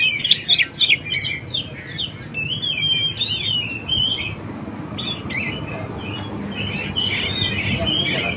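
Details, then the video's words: Oriental magpie-robin lure song for young and newly caught birds; a short burst of harsh chatter opens, then a long run of soft, sliding whistled phrases over steady background hiss. "PANCINGAN KACER BAKALAN || MACET BUNYI"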